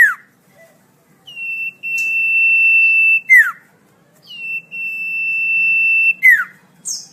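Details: Common iora song for tutoring caged songbirds: two long, drawn-out, even whistles, each closing with a swift downward-sliding note, followed by brief high flicks; quiet pauses separate the phrases.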